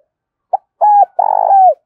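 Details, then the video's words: Spotted dove decoy bird calling to lure others in for trapping: a short note followed by two low, hollow cooing phrases, the last one longer and purring. "Tiếng chim cu gáy mồi gáy gọi vang cả xóm làng"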